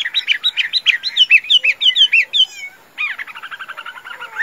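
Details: Tame caged Chinese hwamei in Vietnam, kept for singing and fighting, delivers rapid repeated whistled phrases, about three notes a second, slurring up and down, a brief pause, then a faster run of tight rolling notes.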